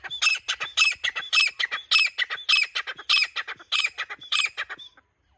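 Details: Grey francolin in a loud, rhythmic calling bout: harsh, ringing phrases repeated roughly twice a second in a steady, insistent series, then stopping abruptly.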